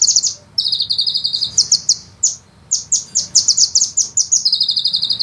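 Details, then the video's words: High-pitched sunbird singing in a fast, dense 'ngeroll' rolling style: long bursts of rapid staccato notes, some runs dropping slightly in pitch, brief pauses between phrases, faint low hum underneath. "suara penghisap madu ngeroll nembak panjang"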